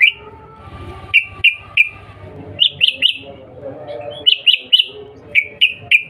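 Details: Sooty-headed bulbul calling to provoke an answer: irregular groups of two or three bright whistled chirps, some pitched higher, with short silences between.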